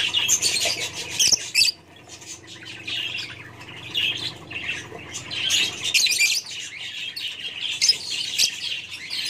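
Kingfishers give shrill, harsh chattering squawks in dense, overlapping bursts, nearly continuous for several seconds, with brief pauses and some wing flutter.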